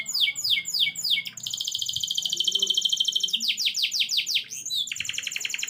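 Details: Canary in full song, rolling low after a single chirp: quick repeated downslurred notes give way to long, high, buzzy trills, then more falling notes and another sustained roll.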